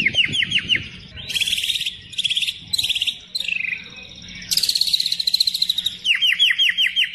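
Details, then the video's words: Murai batu (white-rumped shama) singing a steady lure song full of 'isian' fill: quick repeated downslurred whistles, dense buzzy high trills in blocks, then a long pulsing trill and more downslurred notes, over a low background hum. "pancingan murai batu gacor full isian"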